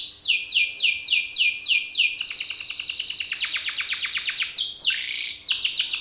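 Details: Belgian canary male singing hard in another male's face, a rival challenge; rapid series of falling whistled notes, about three to four per second, shifting into a dense buzzy trill and a sharp sweeping note.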